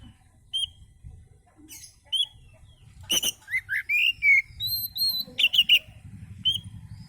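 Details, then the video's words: Oriental magpie-robin song, calm singing used as a lure for other birds: scattered whistled notes near the start, then a busy run of varied sweeping whistles, slurred phrases and sharp chips with sustained high tones, over a low background rumble. "kicau Kacer santai ampuh buat pancingan"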